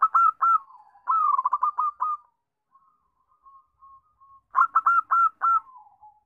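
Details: Zebra dove song used as a lure to prompt other doves to sing: quick bursts of soft, staccato cooing notes running into a rolling trill, given twice with a faint quiet pause between.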